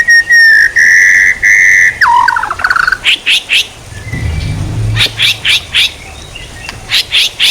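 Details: White-rumped shama song used as training material for songbirds: long steady whistled notes near one pitch, a falling slurred phrase, then rapid short bursts of bright chips repeated several times a second.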